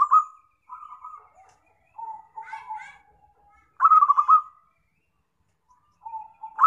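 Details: Zebra dove used as a lure in trapping, giving soft rolling coos, a low trailing note, one loud quickly stuttered coo, and fainter phrases after it.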